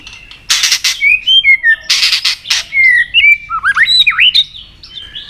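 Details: Fighting song of a white-rumped shama stirred up to sing intensely, tail flicking on its perch. Loud harsh rasping bursts alternate with clear whistled slurs, ending in looping rising-and-falling whistles.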